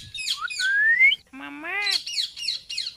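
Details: Indian ringneck parakeet talking and making noise: a run of squeaky chirps and a long rising whistle, then a harmonic, voice-like phrase that bends up and down, followed by quick repeated high chirps.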